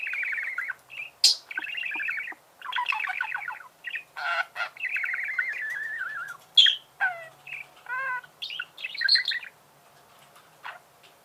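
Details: Budgerigars warble and chatter in busy, buzzy phrases with sharp clicks and a nasal squeak, ending in near silence.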